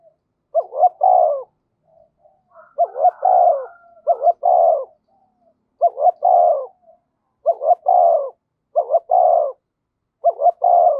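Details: Caged decoy spotted dove calling to lure wild doves, 'thổ sấm' voice style: repeated low cooing phrases, roughly one every one to two seconds, each a quick double note and a longer falling coo, with soft murmurs between.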